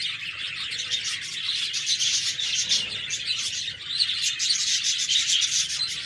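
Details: Budgerigars give a constant stream of high, raspy chirps and twittered warbling, many voices at once, with a faint low rustle in the middle.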